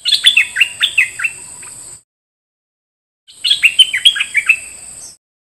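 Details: Decoy bulbul, one of a set of three, sings two short bursts of quick warbled notes. Each note dips and rises, about five or six per phrase, separated by a silent gap, over a constant high-pitched electronic whine.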